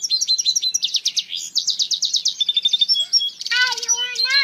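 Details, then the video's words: A rapid stream of high sweeping whistles and quick repeated chirps from an African citril mule, closing with a loud harsh rising chatter that spreads into lower tones. "Africa citril mule"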